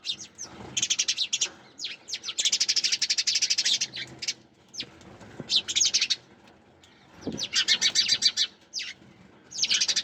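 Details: Sparrows chirp in long trilled bursts of quick, bright repeated notes, broken by brief gaps and a few isolated downward chips, under a low faint hum.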